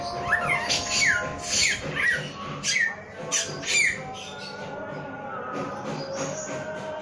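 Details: A male samyong delivers a handful of falling whistled notes about once a second before the song fades, leaving only a low hum.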